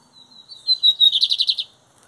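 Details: Lined seedeater, bird singing metálico or torneiro style song in the 2023 season: a thin rising note leads into a short, loud, metallic buzzing trill of about eight rapid pulses, then silence.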